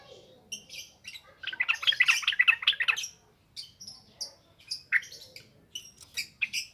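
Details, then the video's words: Lure song for training untrained yellow-vented bulbuls, sung in ngropel ngalas wild style. A fast rattling run of bubbly notes lasting about one and a half seconds, followed by separate sharp chirps roughly every half second. "SUARA BURUNG TRUCUKAN NGROPEL NGALAS"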